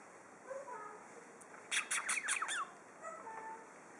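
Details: A green-winged macaw playing on a table in March 2014 lets out a quick series of about five harsh, bright squawks in under a second, over a steady background hum.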